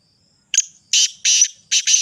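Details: A harsh, rhythmic Sindhi black francolin phrase: a brief scratchy lead-in followed by two long raspy notes and a final doubled grating note, loud and dry with nothing else audible.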